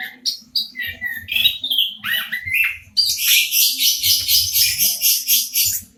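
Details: Local orange-headed thrush singing near the recorder: varied whistled and slurred phrases, some rising and some falling, then a fast run of identical buzzy notes repeated almost four times a second for three seconds, over faint low hum.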